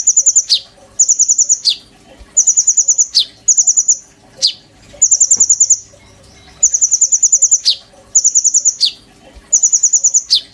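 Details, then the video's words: Oriental magpie-robin in strong song with borrowed phrases, used as a master song for training kolibri ninja birds: short very high trill bursts of about eight notes, each followed by a sharp downslurred chirp, repeated regularly. "PANCINGAN KONIN GACOR FULL NEMBAK ISIAN TONJOLAN MEWAH, COCOK BUAT MASTERAN KOLIBRI NINJA BAHAN"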